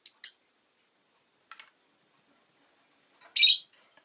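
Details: Pet rosy-faced lovebird chirping: sharp high clicks at the start, a faint scratchy note midway, then a loud raspy, buzzy squawk near the end, with quiet between.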